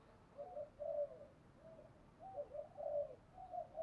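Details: Spotted dove used as a decoy, calling to lure wild doves: soft, low cooing notes in short bursts, a pair of coos, a pause, then a run of several coos, faint against a steady background hiss.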